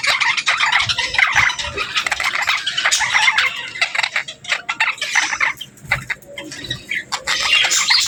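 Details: Budgerigars chattering in pairs: clicky, staccato chirps and squeaky warbles come in bursts, with short quieter gaps between the louder runs.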